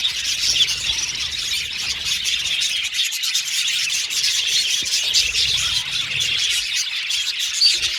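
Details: Caged budgerigars, many birds together, singing and chirping: a dense, lively high-pitched twittering chorus with scratchy chatter and occasional clearer squeaks, steady from start to finish.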